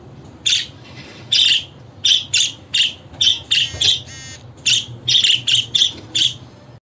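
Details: Budgerigar chirps for making pet budgies sing and respond: quick, high, bright notes in pairs and runs, with one buzzier, more drawn-out note near the middle.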